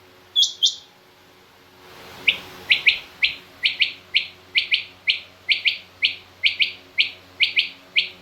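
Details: Calling female rain quail, from a mixed quail call recording used by hunters: two higher notes, a short gap, then a long run of sharp, high, clipped notes, often paired, repeated roughly every second.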